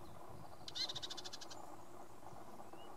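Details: Male Red-capped robin at Limbri giving one brief, dry, high rattle of about a dozen quick clicks, lasting under a second, against a constant low background hum.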